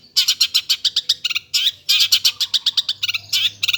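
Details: Long-tailed shrike singing vigorously: a fast run of harsh, scratchy chattering notes, about four per second, with a short pause near the middle and a burst of denser notes after it.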